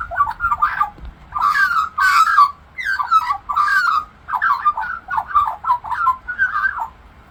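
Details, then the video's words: Talking Australian magpie warbles a run of rich, mid-pitched phrases, some fluty and some gurgling, in bursts about a second apart, mimicking other birds. "Australian Magpie Sings and Mimics Birds"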